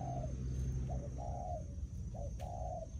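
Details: Decoy spotted dove luring field-caught birds: soft cooing phrases, a short note then a long flat coo, heard behind heavy low rumble and a thin constant high tone.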